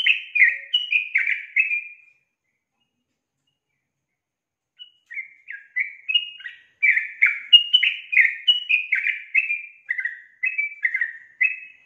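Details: Calling female Yellow-vented Bulbul used to coax a male to sing: two bursts of busy, gurgling notes split by a few seconds of silence, the second burst long, fast and jumbled with rising-falling slurs.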